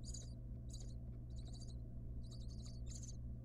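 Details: Wild barn owl mother tending her nestlings in a monitored nest box, recorded on a nest camera. Short high chittering bursts come in quick irregular succession, about five in three seconds, over a steady low hum.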